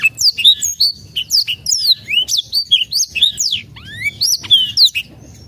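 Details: A Black-throated canary's song, used to coax birds that are reluctant to sing: quick chains of bright whistled phrases, upslurs and downslurs, some rising sweeps, in dense bursts, with a low background hum.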